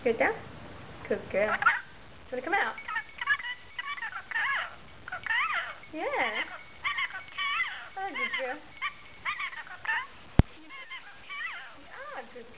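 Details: Continuous chattering from a pet rainbow lorikeet: a steady stream of squeaky, wavering, speech-like notes and short harsh syllables, with one sharp click near the end.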